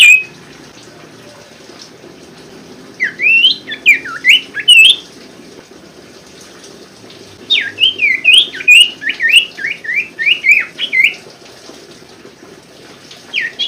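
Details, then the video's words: Sirtu, the common iora, used to prompt lazy or silent birds to sing: two bursts of rapid, twisting, up-and-down whistled notes, about a dozen in each, separated by a quiet gap. "pancingan sirtu macet bunyi & malas bunyi TERBUKTI ampuh"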